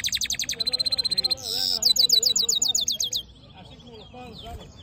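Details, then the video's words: Hooded siskin mule in full song, delivering fast, bright, high-pitched trills of evenly repeated notes, then a harsh buzzy burst and a run of sweeping whistled slurs, ending in quieter twittering. "Black HOODED yellow siskin mule | Cabecita negra CD | Carduelis singing"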